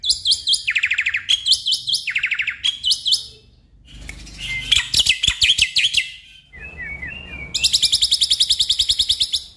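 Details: Black-winged myna singing, a lure for a stressed caged bird that refuses to sing: strings of rapid, buzzy repeated notes alternating with harsh chatter and short whistled slurs, separated by brief pauses.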